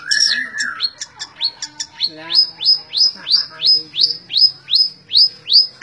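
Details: Long-tailed shrike in continuous song: a short varied opening, then a steady run of high downslurred whistled notes repeated about three times a second.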